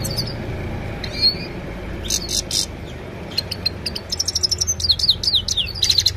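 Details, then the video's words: Himalayan goldfinch singing in the evening, recorded on a mobile phone: scattered bursts of high twittering and short rising and falling whistled notes, growing denser toward the end, over a low background hum. "Gold finch simple singing this is really amazing bird song"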